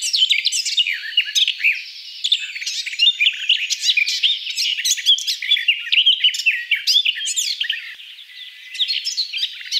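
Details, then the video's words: Garden Warbler (Sylvia borin), a long rambling warbled song of quick varied notes and trills, briefly softer near the end before resuming; no other clear sounds. "Garden Warbler (Sylvia borin)"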